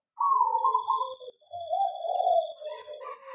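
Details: Local zebra dove kept in a small aviary, singing: a rolling, wavering coo at mid pitch lasting about a second, a short break, then a longer quavering coo phrase ending in stuttered notes, with a faint steady high tone behind.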